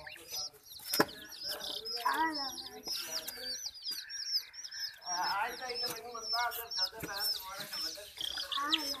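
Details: Scared chicks set upon by ducklings and a puppy give constant high, thin peeps over bursts of lower, buzzy, harmonic calls and a few sharp knocks.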